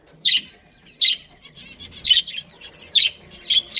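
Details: Breeding budgerigar pair in a family colony: a few separate harsh chirps spaced under a second apart, plus softer chatter between them.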